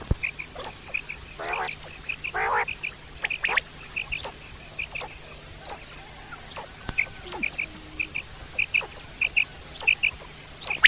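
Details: Common quail in the wild. Short, clear whistled notes come mostly in pairs and triplets, repeated through the clip. They are interrupted in places by harsher, rasping bursts and faint rustling.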